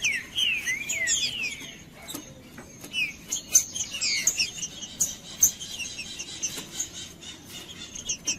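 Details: Rufous-bellied thrush singing, used to warm up a cold bird: rapid sequences of clear whistled slurred phrases, rising and falling notes in quick succession, with faint high chirps and background hiss.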